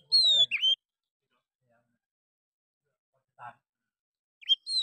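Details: Oriental magpie-robin in an agitated fighting song said to provoke other birds into fanning their tails, also imitating a bulbul; brief high clear whistled phrases with sliding notes, a long silent gap, then another whistle at the end.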